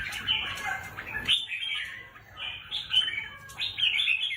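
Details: Caged red-whiskered bulbul kept as a competition songbird, singing bright warbled phrases that rise and fall, with short pauses between bursts and a brief high note near the middle.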